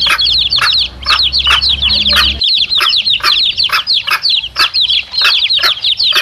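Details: Chicks with their mother hen, recorded as a lure for wild male junglefowl; dense, continuous high peeping chirps from many chicks, rapidly repeated, with a low hum in the first two seconds.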